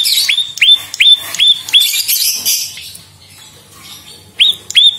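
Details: Bar-winged prinia singing as a lure track: five loud upswept chirps about three per second, a pause of faint twittering, then two more matching chirps.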